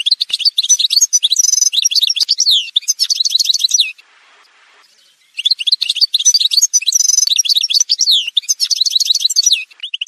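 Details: Algerian goldfinch singing in an edited song montage: fast, dense runs of twittering, buzzy and trilled notes high in pitch, broken by a brief pause near the middle before the rapid chatter resumes.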